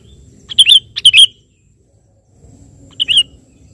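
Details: An actively singing sooty-headed bulbul calling a rival: a rapid pair of bubbly chirped phrases, a pause, then one more short phrase, over faint low background noise.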